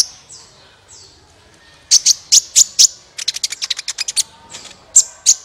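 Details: Sunbird lure song for getting other birds to sing: soft thin downslurred whistles, then loud high chips building into a rapid chattering series and two final sharp notes.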